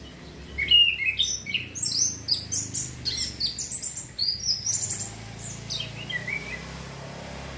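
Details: Orange-headed thrush singing to stimulate breeding urge: a fast, dense stream of chattering, twittering high notes for about five seconds, fading into softer scattered chirps over a steady low hum.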